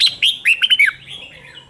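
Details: Red-whiskered bulbul in challenging competitive song: a short, loud burst of slurred, whistled notes followed by a fading, softer whistle.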